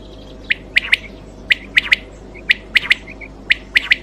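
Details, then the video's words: Quail (batair) call, offered as a clean sound for night hunting: crisp, high, clipped notes in tight groups of two or three, repeated about every second, with a quiet steady hum beneath. "Quail Voice Sounds For Hunting Raat Ki liye Saaf Awazay Quail sounds Batair Ki Awaz"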